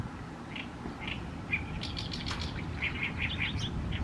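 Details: Oriental reed warbler singing in May 2022 in Nishi Ward, Fukuoka City, Fukuoka Prefecture, Japan: scattered harsh chattering notes, then a quick run of short repeated notes, over a steady low background rumble.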